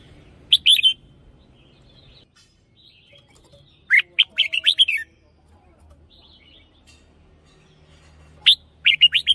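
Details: Red-whiskered bulbul, a caged decoy singer, repeats bright warbled phrases roughly every three to four seconds, short three-note bursts and a longer run of six whistles, over faint low noise.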